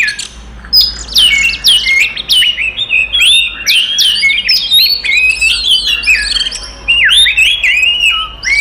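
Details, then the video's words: Oriental magpie-robin in provocative fighting song: a long string of sharp downslurred whistles and quick chirps, each phrase snapping high then dropping, delivered steadily for several seconds. "SUARA BURUNG kacer gacor TARUNG konslet paling AMPUH buat PANCINGAN KACER EMOSI"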